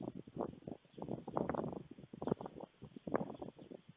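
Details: Two young white storklets at a nest in Fohrde, Germany, 28 July 2019 around 3:58 pm, give rapid rasping bursts of clattering and hissing in uneven runs about every half second, reacting in anticipation of feeding as an adult arrives.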